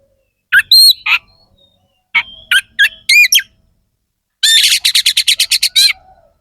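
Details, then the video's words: Oriental magpie-robin with coarse fill-in song, used to stir rival birds before contests: short harsh squawking phrases in small groups, then a fast run of about a dozen rasping notes repeated evenly. "Suara kacer gacor NEMBAK ISIAN KASAR"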